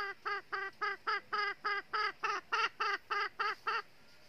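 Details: Northern red-eared decoy junglefowl hen at a trap to lure wild males gives a steady series of fourteen bright, nasal clucks, evenly spaced about four per second, then falls silent.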